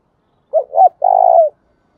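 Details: Low two-part coo of a spotted dove, in the thúc bổi and gáy gọi calling styles: a quick wavering double note, a short pause, then a sustained, throbbing coo ending in a downward slide.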